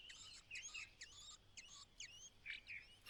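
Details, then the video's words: White-browed laughingthrush at the nest on the day its only chick fledges, the mother calling from outside for it to come out: a rapid series of sharp high chirps and short rising whistles over a faint low hum. "The only child White-browed Laughingthrush fledges on its final day.独生子白颊噪鹛，最后一天离巢，鸟妈妈在外面叫它出来"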